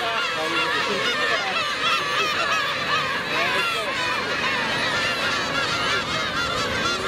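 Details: Black-tailed gull chick set upon by adult gulls, filmed in 4K: continuous harsh, nasal yelping from many gulls, individual arched cries repeating rapidly throughout seven seconds of colony clamour.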